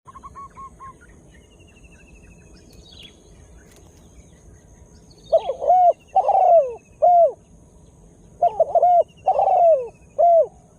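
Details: Spotted dove, a bird just beginning to call, used as a lure to draw in wild birds; loud cooing notes in short clustered bursts after a quiet start, with faint chirps of small birds above.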